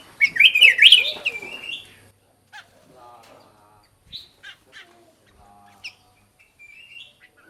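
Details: Black-crested bulbul song, used as a lure to call birds: a loud, bubbly run of warbled whistles lasting about two seconds, then sparse short chirps and faint notes in quiet.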